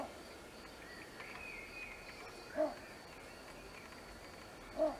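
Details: A little bittern in a reedbed at the WWF Vanzago wood gives a deep, short croaking bark, twice about two seconds apart, over faint high twittering from other birds.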